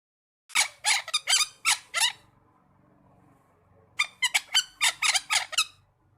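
A parakeet gives harsh, scratchy screeches in two quick bursts, about five then seven calls, separated by a short pause in a quiet room.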